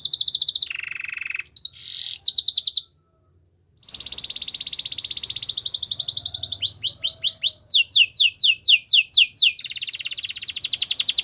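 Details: Canary song used to train and woo other canaries, mixing high trills with a low rolling phrase, a short silence, then a long buzzy roll, a row of falling whistled sweeps and a final steady trill.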